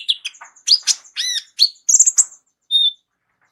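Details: Kolibri ninja, a sunbird whose complete, rich fill song serves as a tutor for other songbirds: sharp chips and bent, slurred whistles in quick succession, a squeaky high phrase, then a lone pure whistle.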